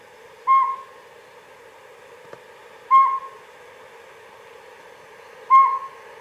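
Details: Northern Saw-whet Owl (owner's identification, possibly Northern Pygmy Owl) calling from trees near a pond at night among frogs: three clear whistled toots, each slightly rising, about two and a half seconds apart, over a steady low hum.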